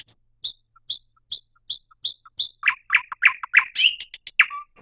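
Thrush nightingale singing: seven sharp, high piping notes repeated about every half second, then a fast burst of louder, lower, varied chattering and rattling notes.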